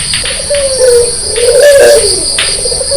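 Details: White red-eyed Barbary dove calling vigorously in the early morning, low mellow coos gliding and wavering, with a steady high insect-like whine throughout.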